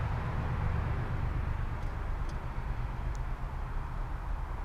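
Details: Steady low rumble of passing traffic or a train outdoors, with a few faint high ticks and no clear animal voice.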